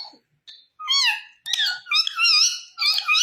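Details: Green ringneck parrot talking in several loud, wavering, harmonic phrases that bend up and down, separated by brief gaps, sounding like imitated words.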